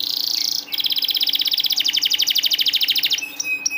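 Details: Canary song for coaxing silent or stalled canaries to sing: a short high buzzy note, then a long, very fast rolling trill of bright repeated notes, closing with sparse sharp chirps.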